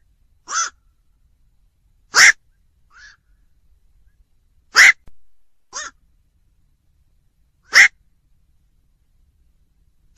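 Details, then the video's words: Black-crowned night heron uttering loud, rasping single croaks, roughly six spaced one to three seconds apart, with a few faint softer notes in the pauses. "tiếng vac"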